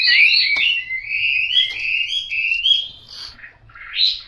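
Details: Chinese hwamei, yellow-billed and yellow-legged, sings drawn-out fluting whistles that slide upward, broken by short pauses and ending on a rising note.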